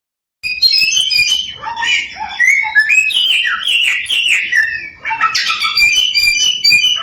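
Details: Chinese hwamei (samyong), a bird of a thousand voices, in full nonstop song meant to provoke other samyong into singing: rich varied whistled phrases, slurred rising and falling notes and rapid chirpy runs, briefly quieter near the five-second mark.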